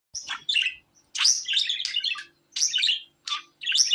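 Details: Budgerigar chattering in short bursts of busy, scratchy warbles and clicks, each burst about half a second to a second long with brief gaps between, high and bright throughout, with a faint steady hum underneath.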